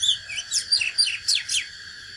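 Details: Oriental magpie-robin, a natural bird, singing a fighting song: a brisk run of about six sharp, falling whistled strokes and slurs, with a constant high-pitched hum behind.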